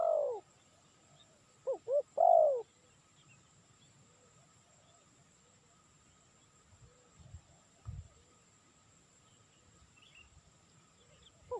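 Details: Spotted dove, a call used for luring birds: one clear phrase of two short rising notes and then a longer, drawn-out, falling coo, with fragments of further phrases at the start and end in an otherwise quiet setting.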